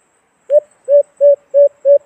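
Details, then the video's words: White-eared brown dove (alimokon) call used as a hunting sound trap in the Philippines: five low, hollow hooting coos, each about a third of a second apart, clean background. "Magandang huni ng alimokon"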